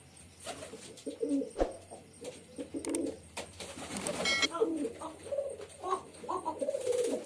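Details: Male pigeon performance, with repeated short gurgling coos across the clip, broken by clicks, a brief rattle and some background clatter.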